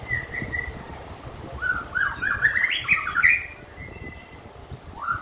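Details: White-rumped shama after completing its moult, singing varied whistled phrases around mid pitch, a long steady note opening, then a rich jumbled warbling burst in the middle and a rising whistle at the end, with low background rumble.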